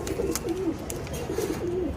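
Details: Pigeons of the Palla line, newly bought, cooing in a series of soft low notes with faint clicks around them.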